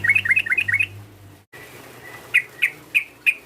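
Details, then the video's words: Sooty-headed bulbul lure call for provoking a rival: a quick cluster of bouncing chirps, a short cut, then four separate loud, clear notes about a third of a second apart. "PANGGILAN TRUCUK ini memancing emosi lawan, TRUCUKAN langsung BUNYI GACOR"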